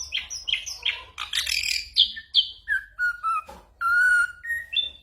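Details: Song of an ashy drongo that copies gunshot sounds and other birds, recorded as a lesson for moulting white-rumped shamas; separate whistled and downslurred notes, a burst of noisy chatter and a long flat whistle near the end.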